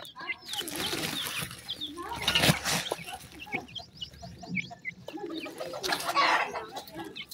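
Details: Grey francolin chicks feeding, uttering quick series of high, slurred peeps, partly masked by broadband rustling and scratching noise that swells and fades.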